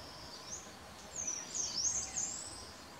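Ashy minivet giving thin, very high, tinkling trilled calls in quick bursts over about a second, against a steady background hiss.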